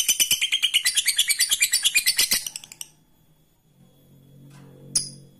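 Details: A lovebird's ngekek lure song, used to set rivals chattering: a fast run of sharp, high pulses lasting under three seconds and fading at the end, followed by near silence, a low hum and one brief click.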